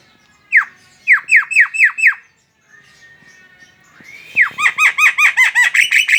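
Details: Chattering song of a Javan myna (jalak kebo), played to lure other mynas into singing. A burst of falling notes, then a thin steady whistle, then a fast run of ringing, harmonic notes.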